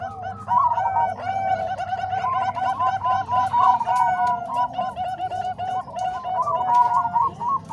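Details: Zebra dove voices of the Bangkok and Cemani Kolbuntet types, blended for training other doves, deliver quick repeated cooing notes in dense overlapping rolls over a low background hum.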